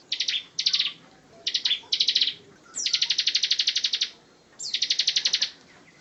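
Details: Master training song of a bar-winged prinia: several short high chirping phrases alternating with two longer rapid trills of evenly repeated sharp notes, separated by brief pauses.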